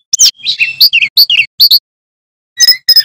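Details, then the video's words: Male bamboo flycatcher sings a fast, varied run of sharp high chirps and slurred whistles, a pause, then two more bright whistled notes; bamboo flycatcher. "Sikatan Bambu Gacor Bongkar Isian"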